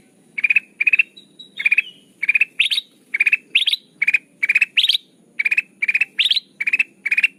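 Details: Sooty-headed bulbul call played to lure birds into traps: steady, evenly spaced bursts of four quick bright notes, every few bursts ending in an upward-swept variant, continuing without pause against a faint high background tone.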